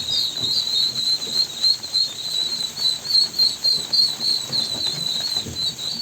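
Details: High-pitched, slightly trilled peeping from ducklings, repeated rapidly and almost without pause, over quiet low background noise.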